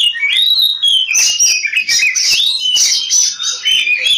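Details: Oriental magpie-robin singing in fighting mode, a lure meant to spur other birds to sing: an unbroken run of clear high whistles, warbled slides and buzzy notes, delivered rapidly and loudly throughout.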